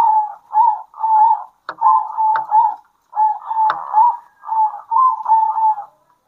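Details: Midday duet of local zebra doves from Indonesia, birds answering one another. A continuous string of short, soft rolling coos runs at a steady pace, with a few sharp clicks heard among them.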